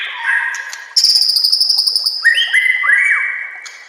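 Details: Master song of a white-rumped shama (murai batu) for training other shamas: soft whistles, then a long high pulsed buzzing trill, followed by three clear upslurred whistles in quick succession.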